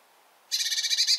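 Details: After a moment of quiet, a Bearded reedling from the reed beds bursts into a harsh, rapidly pulsed, buzzy rattle that runs to the end.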